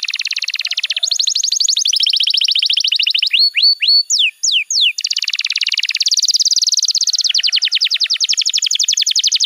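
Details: Canary master song used to train young canaries: fast buzzy trills at steady high pitch, broken midway by a few loud downward-sweeping whistles, then resuming with rapid rolling trills.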